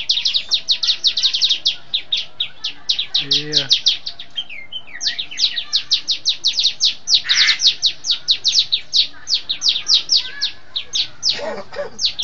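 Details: Contest-training caged bar-winged prinia (ciblek putih) delivering long bursts of fast, sharp, high chirps, a rattling run of dense notes that pauses briefly and resumes, plus a short low buzzy sound partway through.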